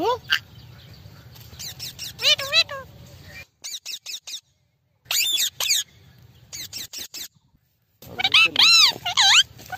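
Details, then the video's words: A group of Amazon parrots; one chatters in bursts of shrill, rising-and-falling squawks and speech-like phrases, broken by brief silences, with a low background hum. "Parrot talking video amazon natural sound group parrot voice"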